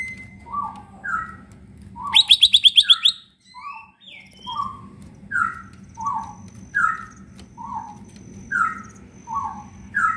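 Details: Leafbird (cicak ijo) kept in a cage, singing to draw out leafbirds that rarely sing: a brief high rattling trill, then a steady series of lower, mellow two-part whistles repeated roughly every half second.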